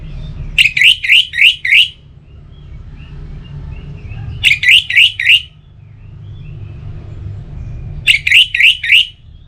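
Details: Kept Orange-headed thrush from Bali singing to rouse other birds in morning and evening: three bouts of four or five fast, repeated whistled notes, each bout roughly every four seconds.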